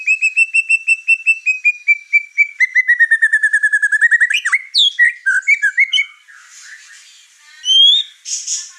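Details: White-rumped shama in over-excited song that agitates the other birds in the house: a long series of steady repeated whistled notes that gradually speed up and drop, then a burst of varied slurred notes and harsher chatter.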